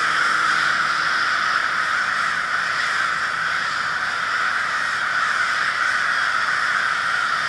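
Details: Group of crows in Minneapolis on February 20, 2020: a heavy, unbroken tangle of rough caws from many birds, with a faint low engine tone at the start.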